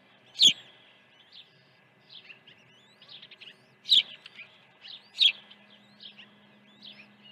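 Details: Osprey at a nest on Dunrovin Ranch during an early feeding, morning of 1 June 2019: loud, sharp high chirps at irregular intervals, with softer whistled peeps and a low steady hum in between.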